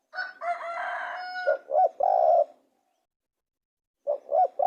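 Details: Spotted dove cooing, a short note, a looped double coo and a long held coo, repeated. A rooster-like harmonic crowing sound overlaps at the start.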